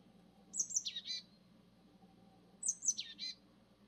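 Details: Japanese tit repeating the same phrase twice, about two seconds apart: two high, sharp notes followed by a descending, slightly buzzy chatter. The background is quiet apart from a low hum.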